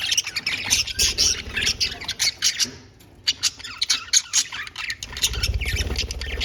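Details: Several pet budgerigars playing together in a cage, a dense chatter of rapid harsh squawks and scratchy chirps overlapping almost without pause, with a low rumbling hum underneath.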